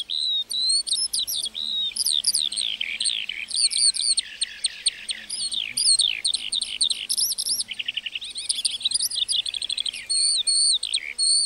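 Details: A lark singing in a meadow pours out an unbroken, high-pitched song of rapid trills, slurred whistles and chirps, with no pauses throughout and no other clear sounds.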